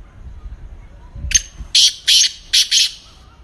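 Black francolin giving a harsh, grating phrase: a sharp opening note, then four loud rasping bursts in quick succession, over faint background rumble.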